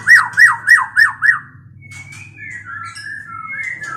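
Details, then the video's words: A mating white-rumped shama gives five quick, loud, down-slurred whistles, then a softer run of gliding, warbled whistles, over a quiet low hum. "Terapi MURAI BATU KAWIN"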